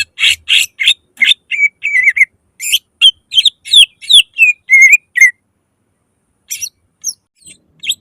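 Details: Lure song from a greater green leafbird, loud and rapid, for getting other leafbirds to sing: harsh broadband bursts, then clear downslurred whistles, stopping after five seconds with only a few faint notes afterward.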